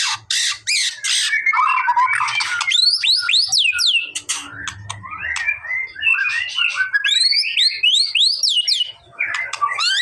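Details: White-rumped shama song used to provoke a response from a bird that is reluctant to sing: loud, continuous, varied song mixing harsh rattling bursts with fast looping, descending whistles and chattering trills, and a low thumping in the middle.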